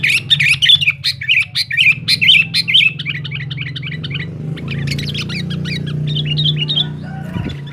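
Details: Sooty-headed bulbul in loud, rival-challenging song: a fast run of bright chirps and warbles for about three seconds, then softer bubbling notes under a continuous low hum with some background noise.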